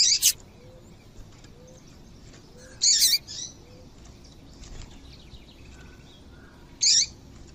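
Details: High, brief chirps from a female double-collared seedeater, a call used to get males singing; a doubled note at the start, a louder burst near three seconds with a softer echo, and a lone chirp near seven seconds.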